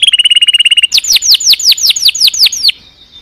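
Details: Canary singing a fast, level trill, then about a dozen loud arched whistled notes, each repeated roughly four times a second.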